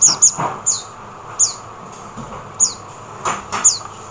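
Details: Oriental white-eye in the Philippines, loud, clear high chirps that fall sharply in pitch, given singly or in close pairs with short pauses between.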